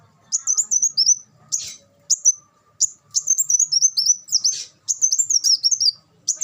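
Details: A black sunbird sings for cage-bird tutoring: repeated bursts of thin, high, rapidly warbled notes, some phrases falling at the end, separated by short gaps.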